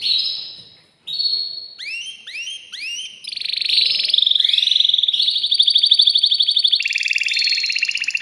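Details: Excited caged male canary singing to stimulate a female for mating: a long sustained whistle, then a series of rising swept notes repeated about every third of a second, building into fast buzzy rolling trills.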